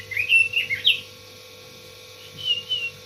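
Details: Red-billed leiothrix giving a brief burst of clear, wavering whistles, then a quiet gap and a softer second phrase of sliding whistled notes; a low steady hum runs underneath.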